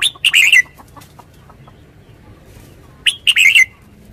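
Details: Red-whiskered bulbul singing: two short, rich warbled phrases of quick rising and falling whistled notes, each under a second long, separated by a quiet pause of about two and a half seconds, with faint low background noise.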